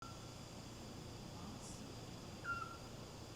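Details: At night in Cala Llonga, Ibiza, one of a pair of Eurasian Scops Owls calling by a villa gives a single short, clear whistled mid-pitch note over a steady hiss, with a fainter note earlier.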